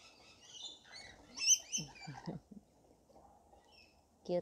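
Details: Rainbow lorikeets at a feeding frenzy, several birds giving shrill, rasping screeches in a chattering cluster, followed by low thumps and a brief sharp rasp near the end.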